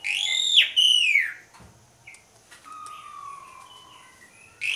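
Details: Asian pied starling singing continuously with a body-pumping display, used as a lure to prompt other starlings to sing: two loud, bright descending whistles, then a quiet pause and a thin, drawn-out lower whistle.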